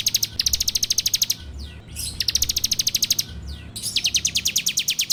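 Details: Fast, insistent rattling song of a bar-winged prinia, captured on Android for training birds: long runs of high ticking notes in three bursts, faint falling sweeps between them.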